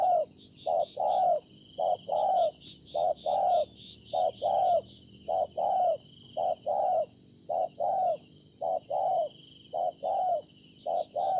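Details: Good-cooing spotted dove, wild-caught in fields and kept as a decoy, recorded 26 September 2020: steady rhythmic paired coos, nearly one a second, low and hollow, continuing evenly throughout with faint background hum.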